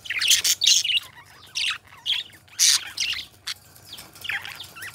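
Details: Two pet budgerigars warble in short scratchy bursts about a second apart, each a squeaky, buzzy chirp cluster followed by a brief gap.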